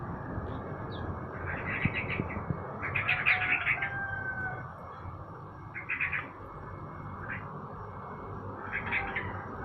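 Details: Sooty-headed bulbul being sunned in the morning, uttering four or five separate bursts of bright, bubbling chirps spaced a couple of seconds apart, with a faint thin whistle and low background rumble.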